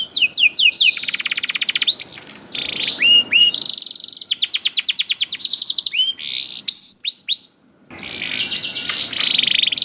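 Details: Canary youngster singing as a lure for canaries slow to sing, mixing rolling trills, buzzy rattles and curving whistled notes, with a brief silence near the end and steady background hiss.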